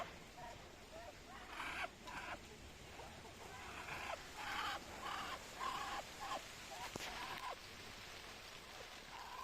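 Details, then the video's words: Muscovy duck hissing: a run of breathy, broadband bursts, some with a faint tonal edge, coming in uneven pulses roughly every half second to second over a steady background hum. "Muscovy Duck Hissing sound"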